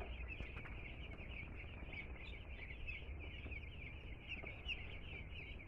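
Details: A group of two-day-old chicks delivered to a home chirps nonstop, thin high peeps overlapping into a steady chorus, with faint clicks and low hum behind.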